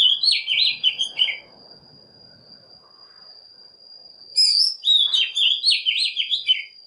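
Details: Oriental magpie-robin singing as a lure to call wild birds and push young birds to sing: a short tumbling whistled phrase, three seconds of near silence with a steady high tone, then a longer, richer run of fluty, varied notes.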